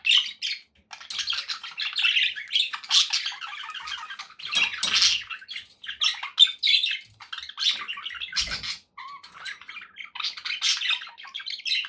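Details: Budgies kept as household pets chatter continuously: grating squawks, quick chirps and warbled strings overlap from several birds, with a few louder harsh calls and short quiet breaks.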